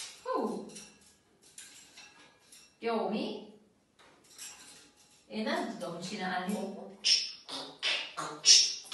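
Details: A pet talking grey parrot chatters speech-like in short phrases, with two sharp high whistles near the end, in a quiet indoor room.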